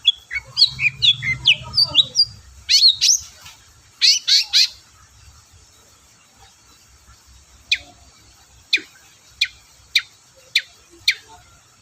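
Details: Long-tailed shrike, called cendet, used to provoke reluctant shrikes to sing: varied jumbled chattering notes and quick sweeping whistles at first, then sharp rising single notes repeated roughly every half second, with faint low rumble early on.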